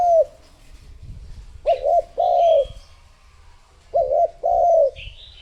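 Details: Spotted dove used as a lure for wild doves, giving four soft, low coos in two pairs, the later notes drawn out and falling, with faint high whistles in the background.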